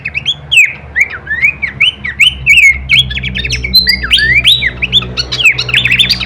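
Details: Horsfield's babbler in a full-variation kleperan masteran for training songbirds: a steady string of rising, looping whistled phrases, becoming denser and more chattering toward the end, over a constant low hum.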